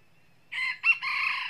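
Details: Red junglefowl, a wild rooster crowing loudly before a fight with another rooster, during foot-lasso trapping; a somewhat distant harsh crow in three parts, a sharp middle syllable, over a quiet background.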